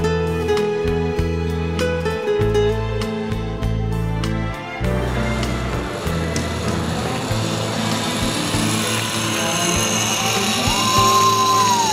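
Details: Loud rhythmic music plays throughout, later joined by a steady engine rumble, with no animal voices audible.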